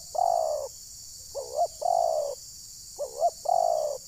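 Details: Spotted dove decoy call used for luring wild doves, Ujung Batu, Rokan Hulu, Indonesia: loud, low cooing phrases, each a quick double hiccup note followed by a long, slightly falling purr, repeated about every one and a half seconds over steady insect hiss.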